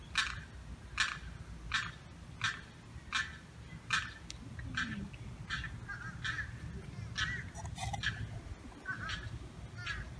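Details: Separated Limpkin chick on July 4th, stuck behind a fence away from mother and sibling, calling in a rapid series of harsh notes, later more irregular and overlapping.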